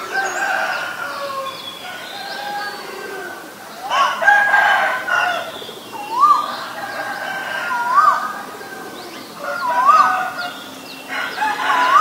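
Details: Asian koel giving short rising notes, repeated about every two seconds, over long crowing of roosters and thin descending chirps of another bird.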